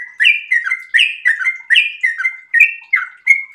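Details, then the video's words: Sooty-headed bulbul in breeding condition with a fast song of bubbly whistled phrases, about one phrase every half second, each made of a rising note followed by falling slurs. "trucukan gacor birahi ropel super panjang"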